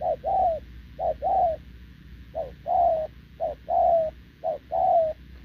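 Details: Wild-caught spotted dove cooing without pause beside a decoy bird on 6 November 2024; short note plus longer slurred coo in pairs, one brief gap near two seconds, low background hum.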